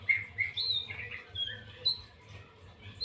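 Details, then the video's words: White-rumped shama in 'lepas trotol' song: bright whistled notes and short warbles at the start, fading to occasional high thin notes, with a constant low hum behind. "murai batu lepas trotol"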